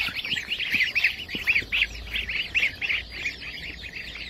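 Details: Group of White Chinese goslings at a hatchery giving shrill, down-curved peeps several times a second, crowded together into a steady chorus over faint background rumble.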